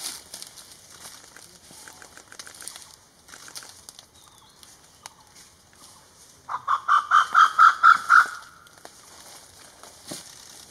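A grey peacock-pheasant gives a burst of about eight loud, harsh, mid-pitched notes in quick succession, over a steady high hiss of insects.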